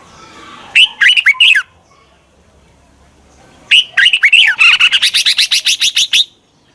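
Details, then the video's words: Red-whiskered bulbul used as a decoy to call wild birds in quickly: a short bubbly burst of three whistled notes, a pause, then a longer run of about fourteen rapid, rising-and-falling chirps. "Tiếng chào mào mòi chuẩn gọi chim bỗ nhanh về."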